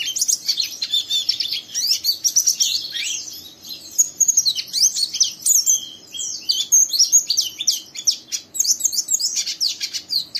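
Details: Oriental white-eye, a young bird in full voice giving a harsh ngeriwik song that prompts a second untrained bird to join in; dense rapid high twittering and chattering trills, continuous bursts with short pauses throughout.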